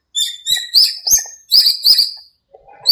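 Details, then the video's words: Birds singing at dawn in a small park during breeding season: bright rising chirps repeated roughly every third of a second, then a sustained high whistled trill, followed by a brief pause. "공원의 새소리"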